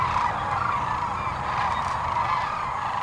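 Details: Massed sandhill cranes on the Platte River, central Nebraska, in mid-March 2009 during their spring stopover; a constant chorus of overlapping rolling calls blends into one loud, unbroken din.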